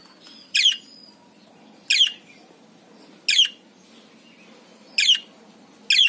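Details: A budgerigar, described as female, gives short, bright, scratchy chirps in the morning, roughly one every second and a half; budgies are said to chirp when happy.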